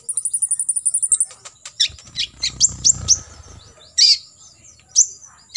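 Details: Olive-backed sunbird, full 'tembakan isian' fill-in song for training competition birds: opens with an even run of about thirteen fast high ticks, then scattered sharp chirps and slurs, with a low rumbling noise midway.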